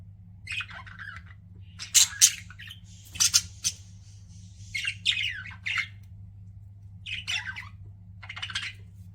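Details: Pet budgerigars indoors chirping: scattered bursts of scratchy, buzzy chirps and squawks, some warbled, coming in short clusters with brief pauses, over a steady low electrical hum.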